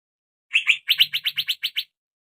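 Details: Young male Asian fairy-bluebird, a lure recording played to make it sing: two sharp chirps, then a quick run of seven clipped, even chirps in about a second, with a faint low hum underneath.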